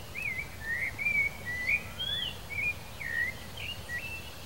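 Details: Male Blue Dacnis: thin, high chips and short slurred whistles, about two per second, over a low background rumble.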